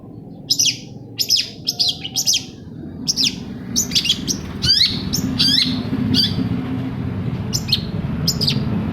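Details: Long-tailed shrike song used to provoke a reluctant shrike to sing; sharp descending notes in quick pairs over heavy low rumbling background noise that grows louder later.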